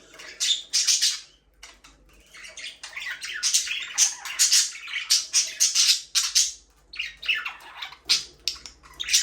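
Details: Budgerigars, kept as pets, chirp almost continuously in a dense, busy stream of scratchy, high, warbling notes and squeaks that rise and fall in rapid bursts.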